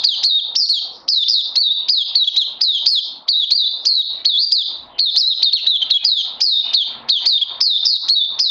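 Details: Caged oriental white-eye on a supplement regime sings long, loud bursts of sharp, high, down-slurred chirps in quick succession, broken by brief pauses of under a second.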